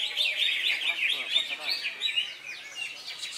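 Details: Greater green leafbird at an Indonesian songbird contest on Saturday 3 September, just past moult; loud, rich rapid warble of bright whistles and chirps, then thinner high sweeping notes, with faint voices behind.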